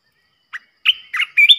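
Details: Fierce decoy Red-whiskered bulbul, kept to provoke other bulbuls, delivers a brief clear chirp followed by three loud, slurred whistled notes climbing in pitch.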